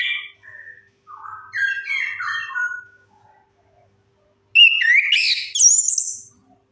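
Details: Orange-headed thrush song played as a lure to prompt silent birds to sing. A run of clear whistled notes steps down in pitch. After a pause comes a louder, higher burst of rapid slurred, warbling whistles.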